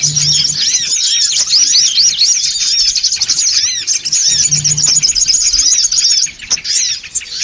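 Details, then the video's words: Songon otong birds in a loud, noisy lure call. Fast overlapping chirps, about four per second, blend into a bright high twitter that drops off briefly near the end; a faint low hum repeats twice. "SUARA PIKAT SONGON OTONG (RIBUT) AUTO KUMPUL !!!"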